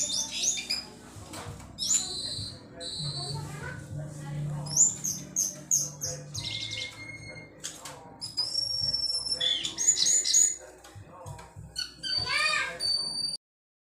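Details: Cingcoang or Sunda laughingthrush in lively song: sharp high whistles, long level tones, rapid note series and chatter, ending abruptly in silence; a low hum in the background.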